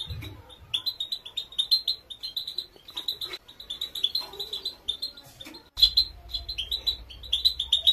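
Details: Female European goldfinch giving a training song: bursts of quick, bright twittering separated by short pauses, notes crisp and high, with a low hum appearing midway and continuing under the song.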